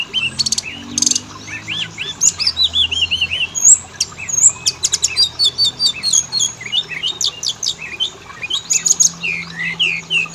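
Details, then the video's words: Oriental magpie-robin song used as a lure to make males and females sing: rapid varied phrases of clear whistles, sweet upslurred and downslurred notes and sharp high chirps, delivered almost continuously with brief gaps, over a faint low hum. "Pancingan burung Kacer; jantan betina langsung bunyi"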